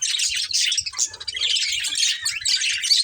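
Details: A breeding pair of budgerigars chirping: rapid rasping warble and high tweets running continuously, with faint low tapping sounds beneath the chatter.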